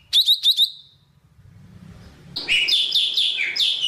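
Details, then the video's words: Java sparrow singing to call the flock: three quick high chirps, a pause with low rumbling noise, then a run of bright, slurred downward chirps running together. "Tiếng chim Thanh Tước hót gọi đàn"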